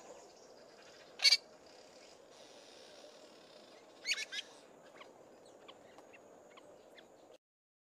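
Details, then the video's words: Fork-tailed drongo, a male, giving a harsh, scratchy burst, a pair of rasping notes a few seconds later, then a faint run of soft, high, ticking mimicked notes of other birds, with low hum throughout. "Fork-tailed Drongo singing loudly and then mimicking softly"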